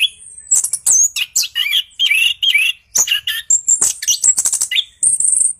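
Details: Energetic orange-headed thrush song, 'gacor ngeroll', played to goad lazy birds into singing: mix of long high whistles, lower warbled notes and rattling bursts in rapid succession.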